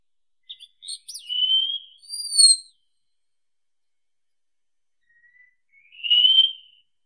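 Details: Wallcreeper singing: a few brief high notes, then a long thin drawn-out whistle and a second, higher whistle, a pause of about three seconds, then one slurred whistle rising slightly and fading. No other sounds.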